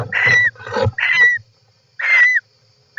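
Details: European roller calls recorded by an inside camera in a nest, July 18, 2024: harsh, buzzy calls ending in a drooping whistled note, four bursts about half a second long with low thumps and rustles.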